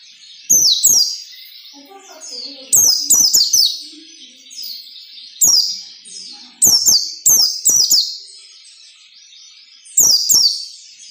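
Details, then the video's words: Standard ngalas nembak song of a white-eye for training captive birds: repeated bursts of two or three thin, high, falling whistles, about every two seconds over eleven seconds, with silence between. "SUARA PELECI NGALAS NEMBAK SERTANDAR"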